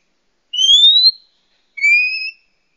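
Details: Oriental magpie-robin female calling to males, a lure for wild birds: two long pure whistles, the first rising steadily, the second flatter and lower, separated by a short silence, clean with no other sounds.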